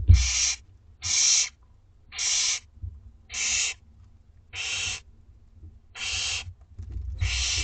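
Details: Two-week-old Barn Owlets in a school garden nest at dinner time, giving harsh broadband hissing screeches, each about half a second long, repeated roughly once a second with low rumbling in the background.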